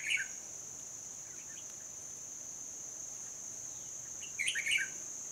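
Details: Decoy red-whiskered bulbul calling at a trapping site in Hòa Bình, 14 November 2020. A quick bubbly phrase at the start and a louder jumbled burst near the end, with a constant shrill insect whine throughout.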